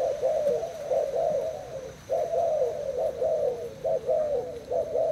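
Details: Thai spotted dove kept two days in its cage, cooing in competition with a decoy: low, rolling coos in a continuous string, one clear pause near two seconds, then rapid phrases resume.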